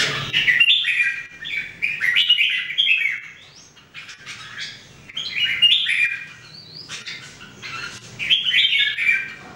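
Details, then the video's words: Red-whiskered Bulbuls, three captive birds in everyday song practice: repeated bouts of lively chattering warbles every two seconds or so, each a cluster of bright notes, separated by short quiet gaps. "Training Jambul birds singing everyday 2018"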